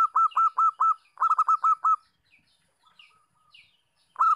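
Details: Zebra dove of a local type in breeding condition gives its cooing call. Rapid runs of short, bell-like notes, each with a slight upward inflection, form two quick strings. A brief pause with soft murmurs follows before another string begins.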